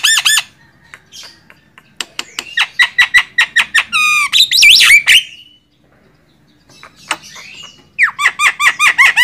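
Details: Javan myna (jalak kebo) master song for songbird training: clicking bursts, a harsh rattling phrase, a brief pause, then a series of loud repeated arched whistled squeals.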